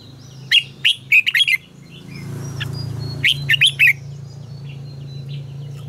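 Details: Red-whiskered bulbul song in the "ché căng lửa" style, played to train other bulbuls to sing. Two rapid phrases of four to five sharp whistled notes each, over a steady low hum.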